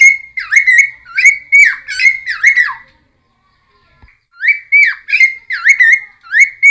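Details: Cucak timor song used as a lure for caught wild birds: high, sweet whistled phrases with sharp upward flicks, delivered in two runs separated by a second-long silence.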